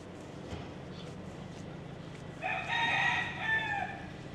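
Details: A free-roaming street rooster in Ybor City's historic district, Tampa, on 7th Avenue, gives one loud, hoarse crow of about a second and a half, rising then falling away, over steady street-noise hum.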